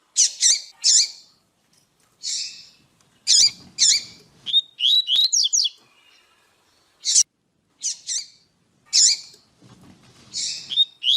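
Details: Female Double-collared seedeater call, used to stimulate males to sing, giving bursts of high, sharp chirps and quick downslurred notes in irregular clusters every second or so, with short silent gaps between.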